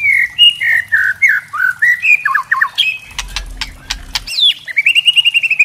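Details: White-rumped shama (murai trotol) kretekan, used to stir other shamas to sing: whistled phrases, harsh crackling clicks with a low rumble, then a rapid trill of high repeated notes.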